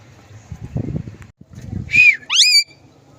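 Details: Green ringneck parrot producing a short whistled note then a rising, buzzy harmonic call after low murmuring human speech and background rumble.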